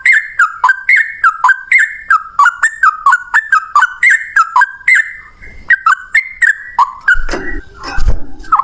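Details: Trucukan, the yellow-vented bulbul, delivering a long-breath 'ropel' song: a steady run of bright, bubbling whistled notes, each dipping then rising, repeated rapidly for several seconds, ending with a few knocking thuds.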